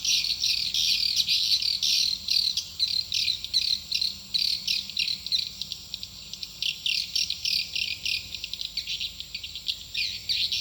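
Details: Swiftlet calls used as a lure to draw birds into a nesting building, heard as rapid, high-pitched, buzzy twittering pulses repeated almost continuously, with short breaks and a faint steady hum beneath.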